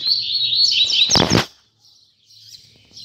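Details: Double-collared seedeater, known in Brazil as coleiro, in a last singing session of 2019: a fast twittering phrase near the top of the range, then a brief broadband burst and quiet trailing notes.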